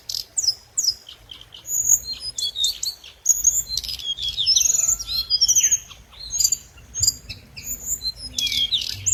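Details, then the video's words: Dense, excited lure song of the scarlet minivet: rapid high whistles, squeaky slurs and tumbling twitters packed closely together, with several bright notes overlapping at times. "Hồng hạnh mồi | Tiếng chim hồng hạnh mồi chuẩn | hồng hạnh hót"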